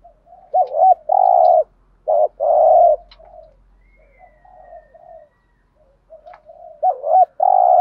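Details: A spotted dove calls to stir up other doves with urging and calling coos. Loud hollow coos come in pairs: a quick looping note, then a long level one, with softer murmured notes in the quiet middle stretch.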